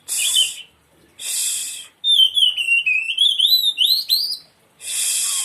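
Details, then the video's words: Oriental magpie-robin song meant to prompt a reluctant bird into answering: harsh, hissing noise bursts alternate with a run of clear, sweet whistled notes that rise and fall quickly between two and nearly five seconds. "kacer malas bunyi 100% langsung nyaut"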